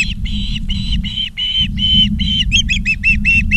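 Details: Ospreys in Charlo, Montana, August 19, 2023: drawn-out, slightly harsh whistled notes in steady succession, turning into quicker, shorter chirps near the end, with a low rumble underneath.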